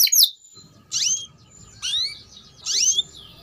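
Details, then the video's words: Canary singing, used to lure other canaries into song and as a model for young birds: three separated high, rising-then-falling whistled phrases about a second apart over a soft low background hum. "PANCINGAN Suara Burung KENARI Gacor Panjang || Masteran KENARI Paud"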